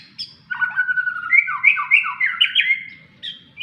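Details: White-rumped shama kept in a cage and set out in the sun, delivering a fast run of slurred whistles and harsher chattering notes that step up and down, ending with a short high note after a pause.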